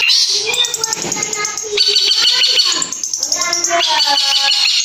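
Long-tailed shrike song, a loud, fast jumble of high whistles, trills and chattering mimicry phrases. Notes shift pitch constantly with no steady rhythm.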